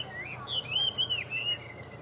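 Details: Caged Chinese hwamei, a tail-fanning bird with good fighting spirit, gives a short run of clear whistled notes. They rise and fall in a high arc over low background hum.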